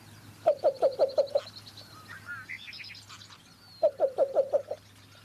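Least Bittern giving two soft runs of five or six low, dovelike coo notes, about three seconds apart. Thin high whistles from other birds and a faint low hum behind.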